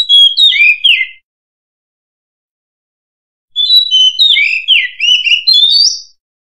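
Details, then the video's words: Oriental magpie-robin (murai kampung, also called murai cacing), volume raised for clarity: two bursts of bright, varied whistled song with sliding and warbled notes, separated by a silent gap. "Suara Denak Murai Kampung"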